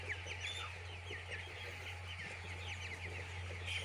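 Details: Many chicks on a poultry farm, peeping in a dense overlapping chorus of short high chirps, steady throughout, over a constant low mechanical hum.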